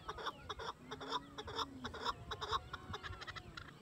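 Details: Territorial calling by a male chakor, the chukar partridge, accompanied by its female; quick runs of clucking chak notes repeated roughly twice a second, a faint thin whistle running beneath.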